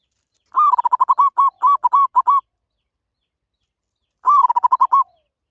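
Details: Zebra dove calling in clean bursts of fast, evenly spaced soft coos, one long stuttering phrase followed after a pause by a shorter one.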